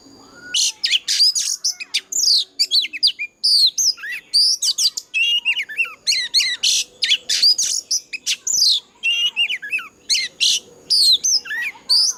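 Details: Old wild-voiced Oriental magpie-robin in fighting song, used as a lure to train other birds and stir them into singing: a loud, dense stream of varied high whistles, slurred upward and downward notes and quick trills, broken by brief pauses.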